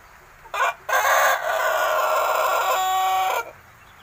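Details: Young Pelung rooster, about six months old and still learning to crow: a brief opening note, a short gap, then one sustained, harmonic-rich crow of about two and a half seconds that ends abruptly.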